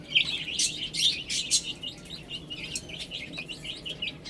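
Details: Chicks feeding and drinking, a flock of small birds giving bright, short, high peeps several times a second, with soft tapping sounds between them.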